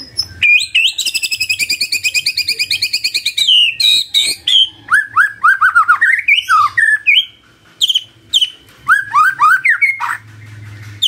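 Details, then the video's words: Magpie-robin morning song used as a lure so a quiet bird will answer: a long run of fast, evenly repeated high chirps gives way to varied slurred whistles, some dipping, some rising sharply. "Pancingan PAGI PAGI AGAR MURAI GACOR❗ murai diam pasti ikut NYAUT❗❗"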